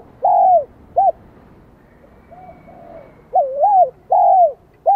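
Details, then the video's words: Spotted dove in Vietnam with a high 'son' voice, beginning to sing: a long falling coo and a short hoot, a pause with faint notes, then a wavy coo and another falling hoot. "Tiếng chim cu gáy Giọng Son chớm nổi kích bổi"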